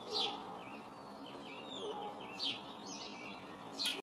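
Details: Pair of blue tits inspecting a shed-side nest box in a garden, early spring; three brief, sharp, high descending notes spaced over a few seconds, with faint twittering between them.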